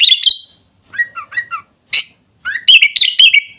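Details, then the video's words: Singing sooty-headed bulbul (kutilang): a quick warble, three soft slurred whistles, a sharp chirp, then a rising note leading into a bright bubbling phrase. "Suara Kutilang Gacor Dorr"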